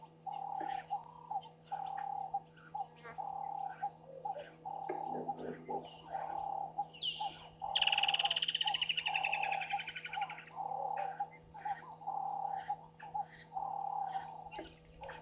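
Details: Water thick-knee calling at 18:42 on 1 December 2023 at Gowrie dam waterhole, Djuma Game Reserve, Sabi Sand, South Africa: a quick series of piping notes sliding downward midway, over a steady pulsing frog chorus and high insect trills.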